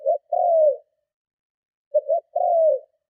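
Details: Two strong spotted dove coo phrases meant to lure and challenge other doves, each a quick low double note followed by a longer drawn coo that falls at the end, clean background.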